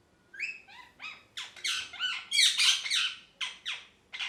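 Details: Happy pet parrot: a lively string of short chirps that swells into dense, harsh squawking mid-way, then breaks back into separate sharp notes.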